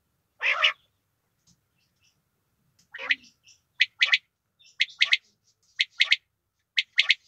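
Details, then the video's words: A female quail opens with one harsh squawk, then gives short, high, rasping notes, often in pairs, about once a second, with no other sounds. "Female quail sound || madi batair ki awaz"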